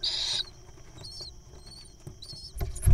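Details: Wild little owl nestling being fed a mole cricket; a loud, hissing, high burst opens, followed by faint short squeaky notes and a heavy low thump near the end.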